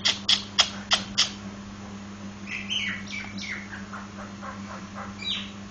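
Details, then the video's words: Nias hill myna giving five loud, sharp, evenly spaced notes in quick succession, followed by a series of softer descending whistled notes and a final higher slurred whistle, with a steady low electrical hum underneath. "Burung Jalak nias"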